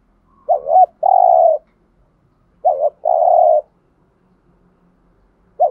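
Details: Decoy spotted dove cooing to draw in wild doves: two clear phrases, each a quick rolling double note then a long, low, hoarse coo, a third starting at the end.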